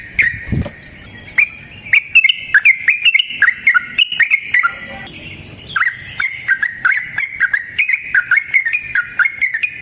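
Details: Yellow-vented bulbul, called trucukan, in a long unbroken chattering song of the style known as ropel panjang, used as a lure to make other bulbuls sing. The song is a rapid run of short bright chirps and slurred notes, about two to four per second, with no other sound.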